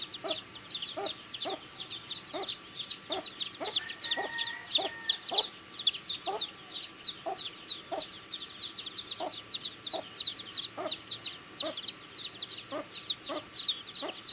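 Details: Feeding baby chicks fill the air with a steady stream of high, thin peeps from many birds, over a regular pattern of pecking taps and a brief low tone midway.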